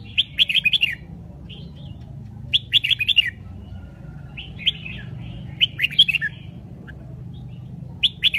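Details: Red-whiskered bulbul (Pycnonotus jocosus) of the Bình Định strain, a caged songbird, sings short bursts of bright, bubbly whistled notes, each phrase about a second long, repeating every couple of seconds over a low background hum.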